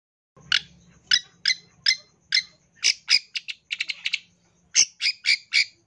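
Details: Long-tailed shrike giving its full isian tembakan song: sharp harsh notes spaced about half a second apart, a quick rattling cluster in the middle, then more strident notes.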